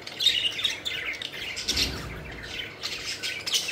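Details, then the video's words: Playful pet budgies fluttering around, chirping: softer warbling chatter with a few clear whistled notes early, and a brief low thump midway. "Budgies Having Fun: Playful Birds Flying and Chirping Joyfully"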